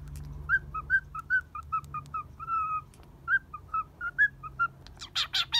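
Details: Pet cockatiel staying at a Kobe bird hotel, playing while balancing on a hand in good spirits; a steady string of short whistled chirps, some longer drawn notes, then a few harsh rasping bursts near the end, faint low hum behind.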